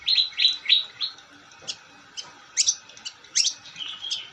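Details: Long-tailed shrike singing energetically: three quick high chips open a broken sequence of scattered sharp notes and short buzzy phrases separated by brief pauses.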